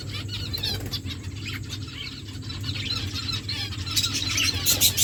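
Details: Aviary finches giving busy high twitters and quick chirps, several birds calling over one another, louder clustered calls toward the end, steady low mechanical hum beneath.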